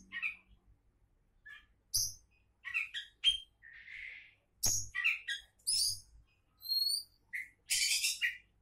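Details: Oriental magpie-robin, a prospective contest champion, singing a varied song of short separate phrases: clear rising whistles, buzzy trills and harsh rasping bursts, with high thin notes and brief pauses between phrases.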